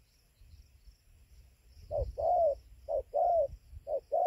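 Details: Spotted dove calling at 5:20 at dawn beside its roost tree in Gia Lai, Vietnam, 24 November 2020. After near silence, low hooting coos begin, short then long, in two quick pairs.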